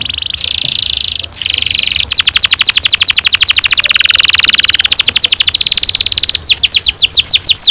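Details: Canary in full long rolling song, meant to prompt young canaries into singing: dense, high buzzy trills and rapid rolls run almost without pause, shifting between fast ticking repeats and slower sweeping notes.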